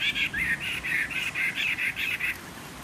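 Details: Caged Chinese hwamei, a wild-caught fighting bird of three seasons, giving table song with a slightly husky voice: a steady rapid series of ten or so full, warbled whistled notes, then a pause.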